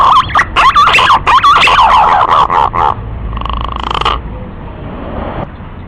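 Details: Green pigeon call played to lure birds while hunting: fast, choppy whistled notes that bend up and down, then a steady buzzing tone and quiet hiss.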